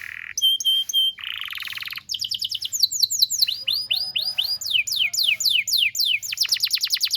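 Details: Long-singing canary used to train juvenile canaries: paired whistled notes, buzzy trills, then varied runs of arched and sharply falling notes in quick succession.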